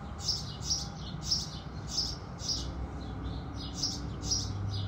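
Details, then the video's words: Sunrise chorus of house sparrows: repeated high chirps, some doubled, at irregular spacing, fairly soft against a low constant background noise. "Sparrow Sounds"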